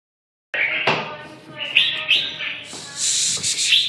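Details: Red-whiskered bulbul song: bright warbled phrases around the upper-middle range, short rising and falling notes with brief squeaky accents, delivered in loose bursts after a silent start, with some faint background noise.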